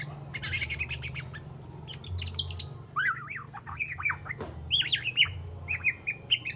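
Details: Three-month-old juvenile white-rumped shama practising its song with mimicked phrases and sharp notes, giving rapid high chips, then looping whistled slurs and short wavering phrases, with a faint low hum behind.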